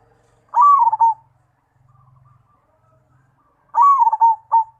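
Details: Mojopahit zebra dove repeating its song twice, roughly three seconds apart: each phrase is a long coo breaking into a rapid wavering roll, the second ending with an extra coo. A soft low buzz is heard between phrases.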